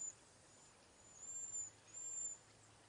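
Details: Backyard flock of cedar waxwings passing berries and insects among themselves, giving three very high, thin, flat seee whistles, each about half a second long, with quiet gaps between.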